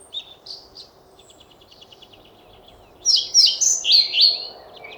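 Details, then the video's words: European pied flycatcher: faint thin notes and a soft trill, then a loud burst of five or six high, downward-sweeping notes in quick succession. "Мухоловка-пеструшка поёт"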